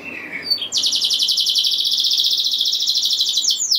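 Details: Canary singing a rolling 'ngeroll' song meant to excite other canaries into singing: a few soft chirps, then a long, fast, even buzzy trill held high for about three seconds.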